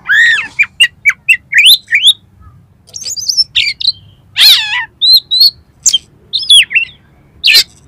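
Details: Oriental magpie-robin in constant competition-style song rich in filler material: a loud series of upslurred whistles and sharp chirps, then a harsh buzzy burst and downward-sliding notes, delivered in quick, evenly spaced phrases.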